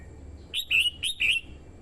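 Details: Captive red-whiskered bulbul used to lure wild birds, with a female stimulating the male: four clear, ringing whistled notes in a quick phrase, alternating short and drawn-out slurs, with soft low rumble behind.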